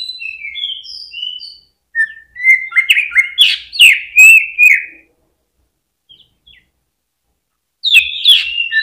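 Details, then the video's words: Caged greater green leafbird singing to stimulate other birds: thin high whistles lead into a burst of loud downslurred and stepped notes with clicks, a silent gap, then another loud burst. "PANCINGAN CUCAK IJO BIKIN NGENTROK FULL HYPER DI GANTANGAN"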